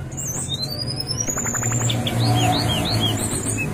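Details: Brown-chested jungle flycatcher, played to make captive birds start singing: a wavering whistle and a long upslurred note, followed by a run of fast curved whistles, backed by a low steady drone.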